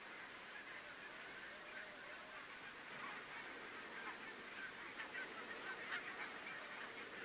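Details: A flock of barnacle geese at Workum, Netherlands, in February 2014, gives a constant chorus of short, high, yapping barks, several every second and overlapping, over a steady background rush.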